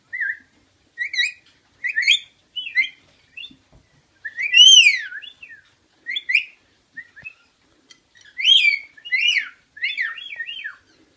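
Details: Rainbow lorikeet kept as a pet, playing a whistle-copying game with its sitter indoors: a busy run of short chirps and whistled notes, some arched and bending up then down, others rising, in quick clusters with brief gaps.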